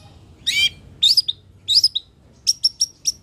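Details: Long-tailed shrike (cendet, toed) singing: three harsh, buzzy, scratchy phrases spaced half a second apart, followed by four short, high, clipped notes.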